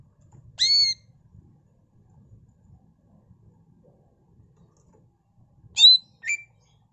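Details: Sparse phrases from a singing greater green leafbird whose song is filled with copied notes: one clear layered whistle, a long pause, then two quick whistled notes, the second falling.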